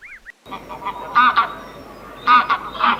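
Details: Farm goose: one brief arched note, a short pause, then harsh, nasal honks in spaced pairs and single blasts.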